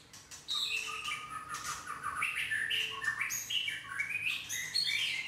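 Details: A white-rumped shama that has lost its two main tail feathers pours out a rich, varied warbling song of rising and falling whistled phrases, fluty and chattering notes running continuously.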